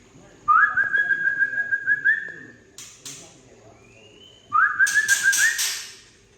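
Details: White-rumped shama from Tangse, rough 'trek' call used to rouse young birds: two long steady buzzy trills, each starting with an upward slur, separated by harsh chacks and a soft rising whistle.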